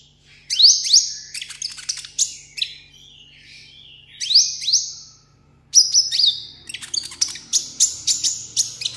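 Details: Caged seven-coloured sunbird kept as a tabletop pet, singing solo in contest style: sharp high twittering notes with slurred whistles, delivered in separate bursts with short pauses between them.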